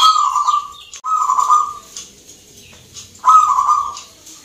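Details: Zebra dove (perkutut) singing at a Mentaraman-rhythm contest in Yogyakarta, Indonesia; loud, steady trilled coos, two in quick succession, then a third after a pause, with faint background chatter and chirping of other birds.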